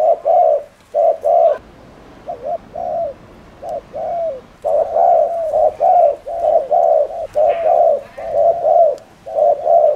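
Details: Spotted dove cooing to rile up rival doves: low, mellow coos delivered in quick pairs and runs, then a longer continuous sequence of rolling coo notes, with light background noise.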